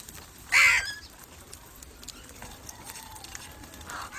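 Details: One loud, rasping caw near the start, from a crow recording used to attract crows, followed by quiet background and a soft distant call.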